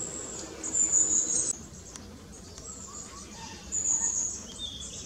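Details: Long-tailed tit fledgling foraging constantly through tall and short trees after leaving the nest; two thin, very high drawn-out calls, with faint lower twitters in between and a soft background hum.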